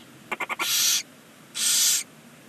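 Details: Barn owls at a nest box on a chimney side beneath a stork nest in Ságvár, Hungary, on the first chick's first day: a few quick clicks, then two long breathy hissing bursts about a second apart.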